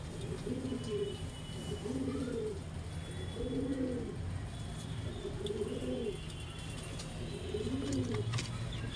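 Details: Mating pigeon giving five evenly spaced, deep, rolling coos, each a soft swelling hoot that dips away, about every one and a half seconds, over constant low hum and faint distant ticks.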